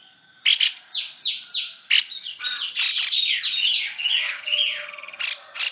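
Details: Lure recording of white-necked babbler: a series of quick falling whistled notes, then a dense tangle of overlapping chirps and slurs, and a couple of sharp high clicks at the end.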